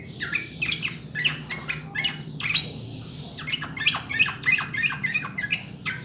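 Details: Sooty-headed bulbul song for prompting caged birds to sing: dense, chattering strings of quick liquid notes, repeated about three times a second, pausing briefly in the middle, over a low hum.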